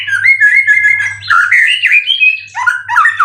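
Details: Caged Indonesian white-rumped shama, a contest winner in 90% form, singing a continuous warbled phrase of gliding mid-pitched whistles that rise and fall, with no pauses, over a soft low hum.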